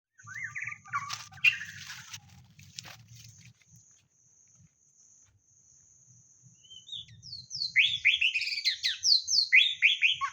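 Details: White-rumped shama used as a decoy for luring birds. Bright whistled song fills the second half: loud, rapid runs of descending sweeps repeated in quick succession. Before it come a noisy start with clattering handling sounds and a low hum, and a thin steady high whine throughout.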